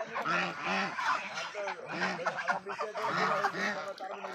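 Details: Rhythmic, repeated nasal honks from Raj ducks kept on a farm, each call a short arched blare, coming roughly twice a second with several birds joining in.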